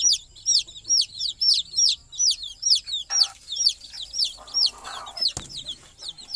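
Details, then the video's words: Chickens at night with their mother hen on the nest, the chicks trying to join her to sleep; a steady run of high, downward-curving peeps about twice a second, with soft low hen clucks partway through. "Mother Chicken Calling Chicks Go to Sleep - Baby Chicken Chirping Noises"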